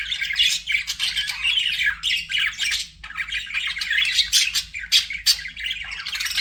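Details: Singing pet budgies keep up a dense, continuous warble of buzzy chirps and chattering notes, bright and high, with only brief gaps between loud phrases.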